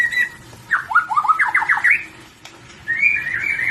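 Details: Lively white-rumped shama song: a short whistle, a rapid series of quick downward-slurred whistled notes climbing in pitch, a click, then a wavering whistled phrase.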